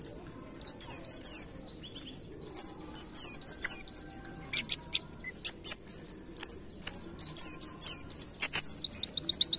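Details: Pleci ngalas white-eye firing off canary-like 'nembak kenarian' song: long bouts of very high, twisting warbled whistles and clipped chirps, ending in a fast even string of repeated notes.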